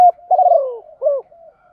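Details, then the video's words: Decoy spotted dove cooing in the morning to call the flock, in the chiêu một hậu style: a sharp opening note, then a long rolling descending coo and a short rising-falling final note, in quiet surroundings. "chim cu gáy gáy gọi buổi sáng, tiếng chim cu gáy mồi gáy gọi bầy chiêu một hậu"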